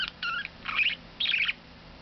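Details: A male pet budgerigar, once quiet for weeks after arriving and now singing a lot, gives three quick bursts of bright, chattering warble, high-pitched and slightly scratchy, in the morning by a window while its owner hopes it will talk.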